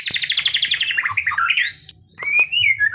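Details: Training recording of a white-rumped shama (murai batu) in kretekan style meant to stir emotion. A fast, crackling burst of pulsed notes slides downward, then after a short pause comes a clear whistled note that rises and falls.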